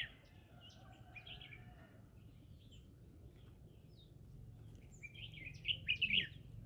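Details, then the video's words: Green-cheeked conure in the middle of a rice field, singing: faint scattered high chirps at first, then a louder burst of harsh, rapid chirping notes near the end over a low steady background rumble. "Green cheek conure singing"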